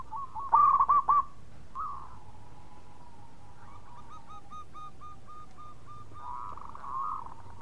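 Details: Local zebra dove (perkutut) sings a soft, mid-pitched cooing phrase of quick staccato notes; a lure call.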